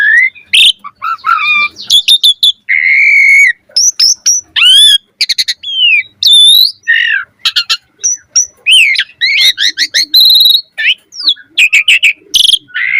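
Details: Asian pied starling with an elaborate, varied song used to coax other birds into singing: a long medley of whistles, squawks, buzzy trills and slurred notes, delivered almost without pause.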